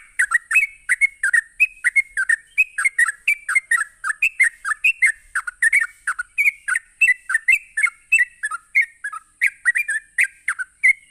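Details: Sooty-headed bulbul delivering a fast 'ropelan' song meant to make other bulbuls answer. Over eleven seconds, loud liquid notes tumble out almost without pause, each a quick slurred whistle, over a faint steady high hiss.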